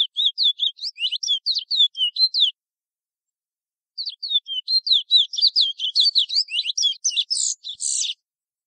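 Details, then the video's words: Chestnut-bellied seed finch, French Guiana, "Ananas" local song style: two rapid bursts of high, sweet downslurred whistles and chattering trills, split by a silent pause of about one and a half seconds and ending in harsher buzzy notes. "chant "Ananas" local Guyane FRANCAISE(sporophile curio) Oryzoborus angolensis."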